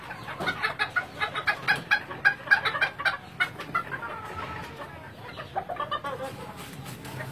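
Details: Thai bantam chickens kept for breeding on a Vietnamese farm; a series of short, evenly spaced clucks rising in loudness then fading, followed by softer scattered calls from the flock.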